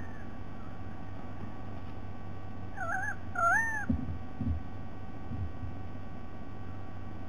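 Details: A White-bellied sea eagle, recording dated 07 12 2020, gives two wavering, honking calls in the middle, followed by a few dull thumps amid an otherwise quiet, low hum.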